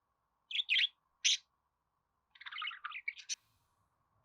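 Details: Budgerigar chirping: a few sharp, squeaky buzzy notes, a pause, then a rapid muttered warble of clicks and chirps, with faint low rumbling near the end.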